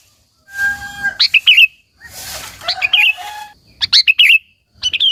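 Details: A sooty-headed bulbul in 'gacor' song, used as a calling lure to excite other local bulbuls: bubbly warbling phrases in three bursts, with hissy noise and a brief low tone in the background.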